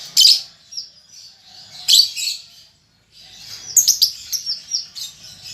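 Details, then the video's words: Juvenile lovebird learning its chatter: scattered harsh, high chirps and squeaky buzzy notes with short gaps, ending in a denser run of sharp twittering. "Lovebird Paud Baby Balibu Muda Belajar Ngetik Ngekek"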